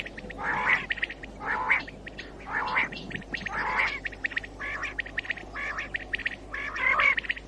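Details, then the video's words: Calling common quail used to attract birds for morning hunting; rasping, buzzy bursts about once a second, each with a bright central note, seven in a row over faint background ticks. "COMMON QUAIL CALLING 2019 BATAIR KI AWAZ SUBA KI SHIKAR KI LIYE"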